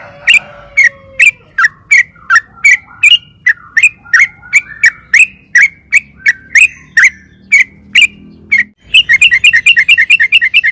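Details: Sooty-headed bulbul, a lively singing bird used as a lure to prompt other bulbuls to answer: a string of short whistled notes about every half second, then a fast, bubbling rolled trill at the end.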